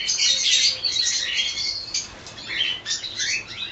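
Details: Dense, continuous chatter from a cockatiel colony, with many shrill chirps and whistled notes blending into an unbroken high-pitched din.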